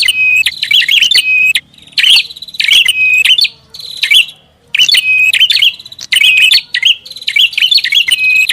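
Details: Prinia lure sound: emphatic bursts of piercing high chirps and a sustained whistled tone, phrases about a second long separated by clear pauses of under a second.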